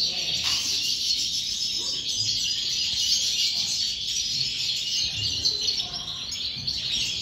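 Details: Goldfinch song delivered as a 'corona' in five 'remesas', the first of them: rapid, unbroken high-pitched twittering and tinkling trills, fast-paced and slightly irregular, over faint low background noise.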